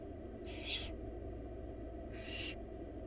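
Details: Begging from wild barn owl nestlings, four chicks fed a large rabbit by their mother in a nest box; two brief breathy screeches spaced well apart, over continuous low-pitched hum.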